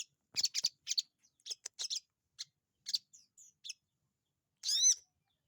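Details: Sogon bird held in the hand, singing energetically; a burst of high, scratchy chattering notes in quick clusters, then a pause and a final longer rising-and-falling warbled phrase.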